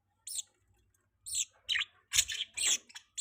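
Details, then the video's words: Pet budgerigar chirping: a string of short, harsh, high chirps and scratchy warbles in uneven bursts, some brief and some longer and chattering, with quiet gaps between them. "budgie chirping sound|budgie chirping voice"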